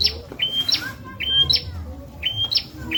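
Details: Bar-winged prinia tutor song for magpie-robins and leafbirds, three quick phrases of a flat high whistle followed by an upswept chip, evenly spaced, with faint lower warbles and a low hum beneath.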